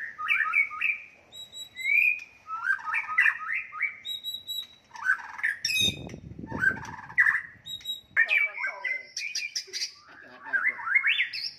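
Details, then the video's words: White-rumped shama singing a fighting song meant to enrage rival birds: loud bursts of rich, fast-changing whistles and harsh chatters, repeated in phrases with short pauses and a brief rustling noise midway. "murai batu tarung ampuh untuk menaikan emosi"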